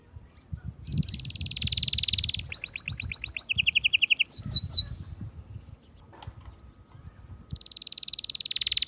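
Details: Atlantic canary song meant to excite females for breeding, made of long rolling trills at steady fast rates. One dry rattle gives way to a faster sweeping trill and a lower trill, with a short pause before another rolling trill.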